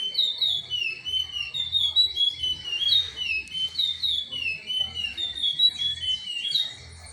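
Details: A curió (chestnut-bellied seed finch) sings Timbira-style, stringing together melodious whistled slurs, rising and dipping, in steady phrases, with a low rumbling hum beneath and a brief quieter ending.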